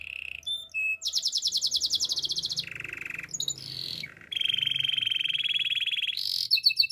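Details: Gloster canary song of varied tours. Short whistles give way to a rapid pulsed trill, then a lower, throaty roll, a brief higher phrase, and a long steady rolling trill that closes with sharp chips.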